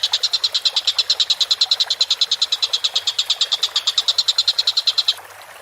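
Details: Collared kingfisher, recorded as masteran for training songbirds: a fast, even run of harsh, high clipped notes, roughly three per second, that stops abruptly near the end and leaves a quiet background.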